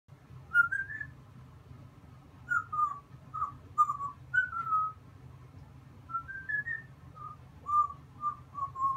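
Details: Pet African grey parrot whistling the human tune 'Seventy six trombones' indoors: clear, pure whistled notes in short phrases, some sliding upward and others stepping down, separated by brief pauses over a faint low hum.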